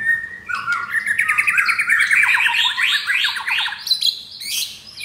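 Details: F4 captive-bred white-rumped shama with mottled (blorok) chest, Jakarta, Indonesia, delivering rough-material (materi kasar) song: a dense, rapid rattling run of ascending notes, then high sharp accents.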